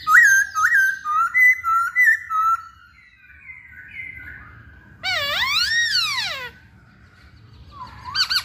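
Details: Masked laughingthrush singing actively: a rapid series of clear looping whistles, softer sliding notes, then a long loud rising-and-falling harsh cry, ending with a sharp upslurred note.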